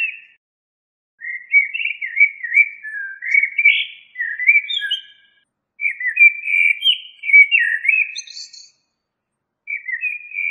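A common blackbird sings mellow, fluted warbling phrases a few seconds long with short pauses; one phrase ends in a thin, high twitter.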